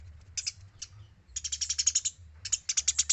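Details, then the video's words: Eurasian tree sparrow in active training song for other birds: several soft chirps, then two rattling runs of sharp, high notes delivered at a fast, even pace, with a low background hum. "MASTERAN GEREJA GACOR SUARA BERSIH"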